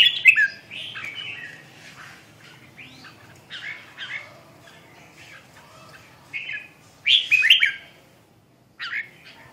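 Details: Red-whiskered bulbul song: short chirpy whistled phrases separated by pauses, some brighter notes near the end, over a low background hum.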